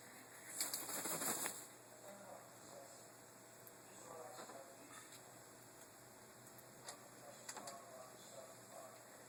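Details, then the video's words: A female pet blue-and-gold macaw indoors making occasional strange noises: one loud, harsh squawk near the start, then a few soft, scattered grumbling and clicking sounds. "Blue and Gold Macaw) making her noises"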